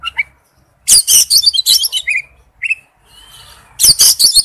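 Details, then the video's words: Male oriental magpie-robin calling to a female with dense bursts of loud, scratchy high chirps, a couple of clear rising whistles in the middle, then another harsh chattering burst at the end. "tiếng chích chòe than gọi mái/chích chòe than trống kêu"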